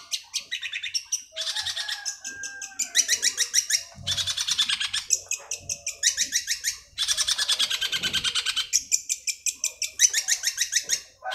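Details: Caged Long-tailed Shrike song used to prompt a silent cage bird to sing: long bursts of rapid, harsh, rattling notes packed into dense trills, broken by short pauses and a few lower chattering phrases.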